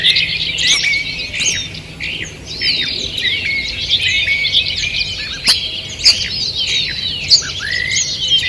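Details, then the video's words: Early-morning birdsong in a forest, 2 June 2023: busy chorus of high chirps and trills, with sharp clicks or snaps standing out now and then above the chattering. "Утреннее пение птиц"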